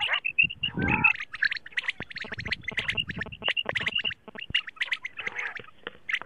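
A female quail gives a rapid, busy run of short, high, chirping notes, with a few harsher squawks and clicks mixed in.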